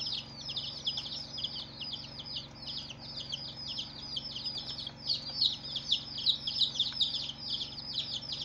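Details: Newly hatched baby chicks on day one, many peeping at once: thin high cheeps sliding downward, rapid and overlapping, growing a little louder after the midpoint, with a quiet hum behind.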